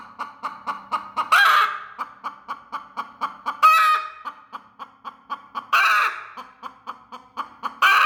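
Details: Protective broody hen over her eggs makes sharp, evenly spaced clucks, with four loud rasping squawks spread across the series.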